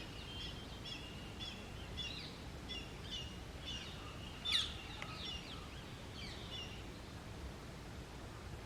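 Indian grey hornbill giving a series of shrill, squeaky notes, about two a second, with one louder squeal, over steady low background rumble.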